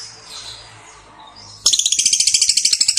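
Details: Lovebird gives soft, muffled twitter, then abruptly breaks into a fast, rattling chatter of high, sharp notes at about three per second.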